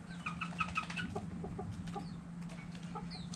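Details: Chickens and roosters dirt bathing, giving quick repeated clucks and a few higher chirps, over a constant low hum and dusty scratching.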